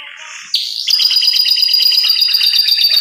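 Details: Canary in 'cengkok super' song: a soft warble that jumps into a loud, sustained, very rapid buzzy trill, steady and metallic to the end.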